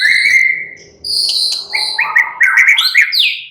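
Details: White-rumped shama, a caged bird in relaxed, lively song: a long sustained whistle followed by rapid varied whistled and chattering phrases rising in pitch.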